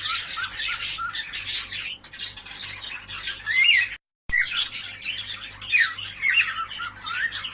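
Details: Cockatiel chorus meant to encourage pairing: rasping squawks and chirps in thick overlapping bursts, a sudden brief silence near the middle, then the chatter resumes with scattered twisting whistles.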